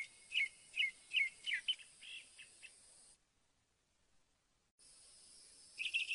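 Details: Northern mockingbird singing a series of short, varied chirped phrases, broken by an abrupt silence before a final burst of rapid notes.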